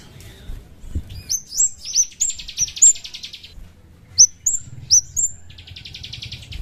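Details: Chestnut-capped thrush lure call for provoking a response: sharp high upslurred whistles repeated every third of a second, alternating with dense buzzy trilled bursts, with a brief pause before the pattern resumes.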